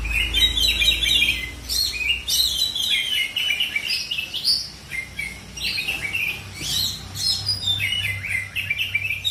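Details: Singing Oriental magpie-robin, a kept bird from South Aceh, Indonesia: a rich, varied run of whistled and scratchy phrases, quick rising and falling notes, nearly continuous, with low hum behind.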